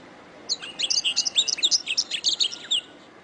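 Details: Canary tutor song for training songbirds: a rapid run of high, sharp chirps and short whistled slurs, about four notes a second, varied in pitch over two seconds, clean against a quiet background.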